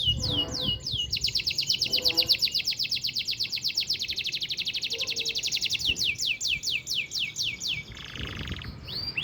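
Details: Canary, original voice, performing a long rolling song meant as a master for training: loud, sustained high buzzy trills of rapid repeated notes, shifting between faster and slower rolls, with a few downward-sweeping whistles.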